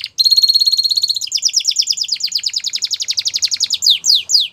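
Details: Belgian canary singing for canary training: a high, fast, even trill of rapid repeated notes, then a slightly lower, slower rolling series, closing with a few sharp downward sweeps.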